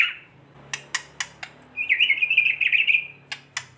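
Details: A white-rumped shama gives kretekan to goad other shamas into song: sharp isolated clicks, then a rapid rolling rattle of high notes, followed by more clicks, over a soft background hum.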